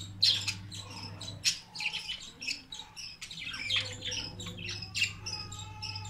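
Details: Budgerigars chatter with rapid, scratchy chirps and squawks over a steady low indoor hum, around feeding on soft food.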